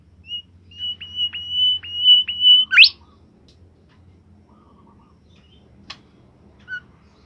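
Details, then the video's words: Bimoli bird singing in a cage: a high whistle repeated several times with brief breaks, then a sharp rising sweep, followed by quiet with two isolated short clicks or notes later. "fuul gacor burung bimoli"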